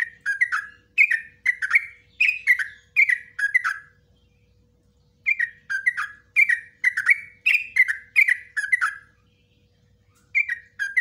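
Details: Long ropelan song of a yellow-vented bulbul, recorded as master material for training bulbuls. Lively bursts of fast, bubbly, slurred chirps last about four seconds each and are separated by brief silences.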